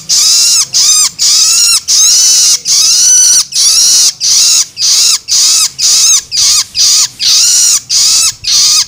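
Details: Begging calls of a juvenile long-tailed shrike, meant to stimulate adults: continuous series of loud, scratchy, slightly bent rasps, nearly two per second, varying a little in length.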